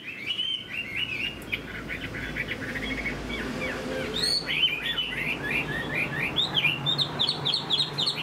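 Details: Caged Chinese hwamei during moult: a stream of quick chirped whistles, softer in the middle, then a louder burst of sharp rising notes and rapid warbling toward the end, with faint low background noise.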